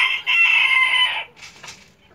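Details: While laying an egg, a hen gives one long, loud, harsh squawk lasting about a second, followed by quieter trailing clucks.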